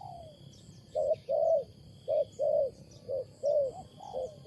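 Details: A wild spotted dove gives a loud, unusual coo: a falling slurred note, then a few short and longer husky coos in pairs, with faint high chirps behind.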